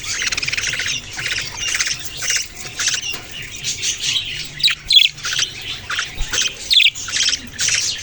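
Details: Budgerigars chirping in a steady run of scratchy, buzzy chattering notes broken by short pauses, with a few sharper squeaks near the end.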